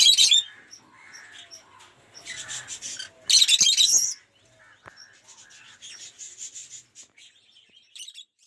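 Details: Shrill, raspy squawks from lovebirds kept in an aviary collection of colour mutations, including Off Pallid and Aqua Rosy, come in a few loud bursts, then fade into thin, scratchy chatter.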